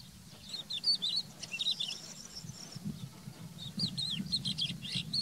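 A crested lark sings a fast, varied run of high, slurred whistles and twittering notes, with a low rumble of background noise throughout.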